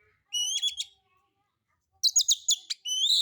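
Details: Oriental magpie-robin (kacer) singing alone, a relaxed lure of harsh material to draw other birds into song: a short burst of high whistled notes, a pause, then a second louder chirping burst and a rising whistle.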